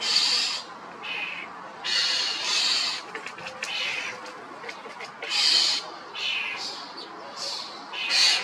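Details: Loud, harsh calls from a common starling: repeated hissing screeches, some paired closely, mixed with faint softer rasps between the louder bursts, over steady background noise.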